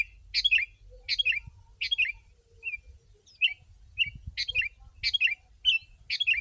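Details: Sooty-headed bulbul song used as a lure for wild birds: loud, busy bursts of bright chirpy notes around 2–4k, repeated roughly every 0.6 seconds, some short slurred whistles between, faint low rumble beneath.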